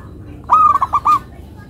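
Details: Local zebra dove (perkutut lokal) kept as a songbird, singing a short melodious phrase of four rolling cooing notes in rapid sequence, then quiet.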